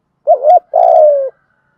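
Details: Lure call of a Spotted dove for provoking cooing, a short undulating note then a drawn-out grainy coo sliding gently downward, with faint clicks over it.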